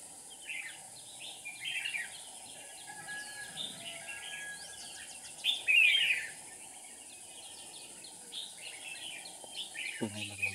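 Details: Caged red-whiskered bulbul decoy luring birds during trapping, 7 April 2019: scattered chattering chirps, then a louder burst of tangled warbling around the middle, quieter calls after, brief voice at the very end, steady hiss.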